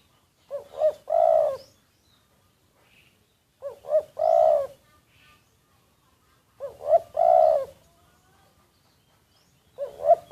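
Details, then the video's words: Cooing of a decoy spotted dove, recorded unnoticed: three-part phrases, two brief looping notes and a longer mellow coo, repeating about every three seconds. A fourth phrase begins at the end. "แอบอัดเสียงนกเขาใหญ่ นกต่อ"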